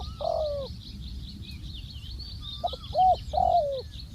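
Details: Spotted dove used as a ground decoy, calling: a long coo that falls at the end, a pause, then short clipped notes leading into two more hollow coos, the last drawn out and falling; faint bird chirps behind.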